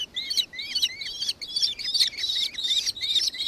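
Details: Nankeen kestrel, Victoria, Australia, December 2024: loud, clear, evenly spaced shrill notes, each with a rising-then-falling twist, repeated about two and a half times per second.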